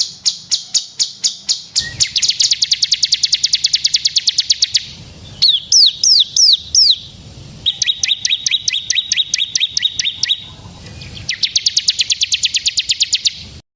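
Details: Crimson sunbird (burung sogon) singing in a tutor recording for cage birds, with varied high, rapid trills: ticking runs, fast buzzy rattles and a burst of upslurred whistled notes, separated by short pauses.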